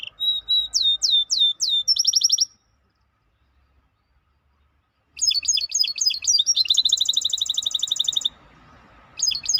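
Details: Maestro bird song in bursts: a few sweeping down-slurred whistles and a quick trill, a pause of near silence, then a longer run of rapid chirps and rolling trills.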